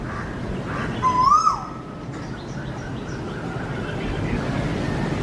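A koel gives one short, loud, rising note with a throaty, burp-like quality, lasting about half a second, over a steady low outdoor hum.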